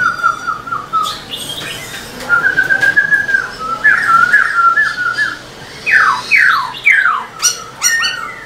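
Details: Caged black-throated laughingthrush singing energetically while fanning its tail, played to stir other caged birds; loud varied whistled phrases, short rolling notes then sweeping descending slurs and sharp upward calls, faint room hum beneath.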